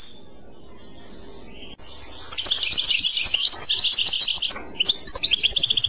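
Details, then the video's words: Clochette song of a European goldfinch begins after a quiet stretch: dense, rapid, bright twittering with liquid trills and a few separated chirps toward the end. "تغريد كلوشات Chant Clochette"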